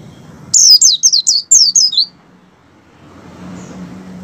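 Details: Excited Oriental white-eye in breeding condition, recorded to prompt captive birds to sing: a quick volley of about seven piercing, downward-slurred whistles lasting one and a half seconds, followed by quiet low hum.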